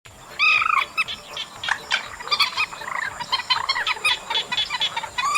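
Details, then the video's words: Chestnut munia recorded in August: a dense chatter of short overlapping notes, with several clear arched, ringing calls rising and falling near the start and end, over a steady high electronic hum. "Tiếng Trích Ré Track 3+B Tháng 8"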